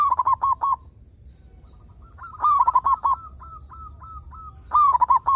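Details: Local zebra dove singing, used as a lure to prompt other doves to sing: bursts of soft cooing notes around one pitch, a rolling trill of five or six notes, with quieter repeated coos between loud phrases.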